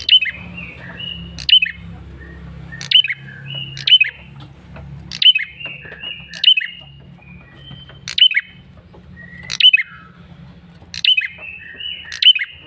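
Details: Male bar-winged prinia giving a lure call: sharp, high chipping bursts, each trailing into short thin whistles, repeated roughly every one to one and a half seconds at an uneven pace, with a faint low hum.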